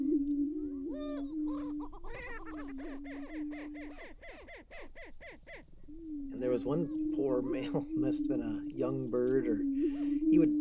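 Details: Several greater prairie-chicken males on an April lek in northwest Minnesota's Tympanuchus WMA, fighting and harassing a young male: sustained low booming drone, bursts of loud cackles and yelps, a short quiet gap, then more chattering calls.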